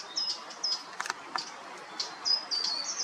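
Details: Short-toed treecreeper (Certhia brachydactyla) in coastal woodland at Taramancos beach, Noia, Galicia, giving thin, very high calls, about eight brief notes in three seconds, some in quick pairs, with a few soft clicks between.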